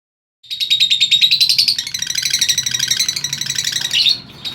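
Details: Lovebird song played to stimulate other lovebirds to sing: a continuous, harsh, rapid chattering of high squeaky notes lasting about four seconds.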